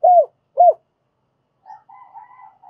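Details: Lure spotted dove calling to attract wild doves: two short, rounded, arching coos in quick succession, followed by a soft, quiet wavering murmur.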